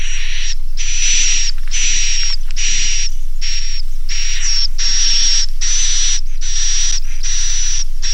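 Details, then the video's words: Edible-nest swiftlet inap call in the 'Naga Mas' style, played so young swiftlets will roost: repeated grating, hiss-like buzzes, each around half a second, with a faint steady whistle on top and regular short pauses. "SUARA INAP NAGA MAS"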